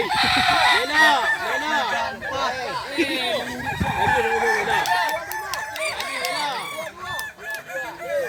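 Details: Kukuak balenggek roosters at a crowing contest at a dairy farm in Solok Regency, many birds crowing at once in dense overlapping arched notes, some long and stepped, with voices in the background.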